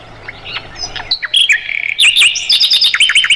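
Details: Mugimaki flycatcher singing as a model for cage songbirds like the white-rumped shama: faint thin notes at first, then a lively stretch of high twittering, with slurred whistles and rapid chips building in loudness.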